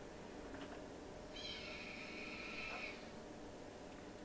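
A Red-tailed Hawk gives one long, hoarse, high scream of about a second and a half, played over a speaker in a room with a faint background hum.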